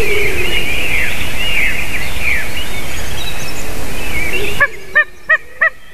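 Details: White-tailed eagle at 06:26 on 28 March 2019. Distant mixed birdsong and hiss give way to a run of sharp, evenly spaced, ringing yelps with strong overtones, about three per second, standing out clearly over a quiet background.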